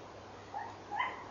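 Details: A tawny owl at 23:32 at night gives short, sharp, yelping barks, two or three in quick succession, mid-pitched and slightly rising, over a faint steady background hiss.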